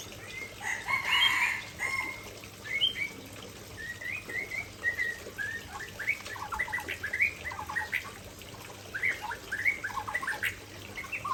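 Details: White-rumped shama in full song beside a waterfall, delivering bright whistled notes and quick chattering phrases at a lively, irregular pace, some louder bursts early on, over a constant hiss of falling water.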